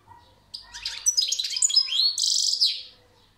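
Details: European goldfinch singing: a quick, high twittering run of tinkling and buzzy notes that builds into a bright, trilled, rattling phrase before fading, in a quiet room.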